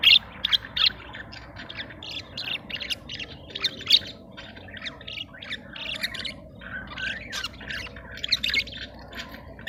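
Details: Budgerigars in heat, kept in a cage, mating and bringing up food; continuous twittering chatter of short buzzy and squeaky notes, varied and unbroken, over a low background hum.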